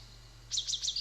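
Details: A Spotted Towhee, one of the staccato singers, gives three quick, thin, high notes in about half a second, each slurring slightly downward, over a faint low hum; its song is said to sound like "to-ee", locally just "ee".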